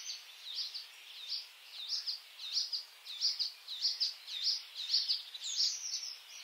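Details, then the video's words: White-spotted bluethroat, subspecies cyanecula, singing in May: a loud run of high, ringing notes repeated about every half second, each a sharp upward-flicking phrase, steady and insistent. "A Bluethroat (Luscinia svecica cyanecula) song in May"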